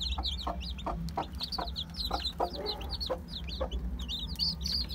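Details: Crowded one-day-old chicks of Aseel, Heera, Java and Muska breeds cheep loudly and continuously in high, slurred notes. They come with scattered knocks and rustling over a low hum.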